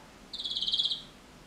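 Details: Canary song phrase: a single fast, pulsed trill of about two-thirds of a second, evenly repeated notes at a steady high pitch, over faint background hiss.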